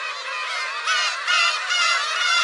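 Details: Black-tailed gulls heard near a shrine on 10 July 2015, a Friday: a loud, continuous wash of overlapping nasal mewing cries from many birds at once.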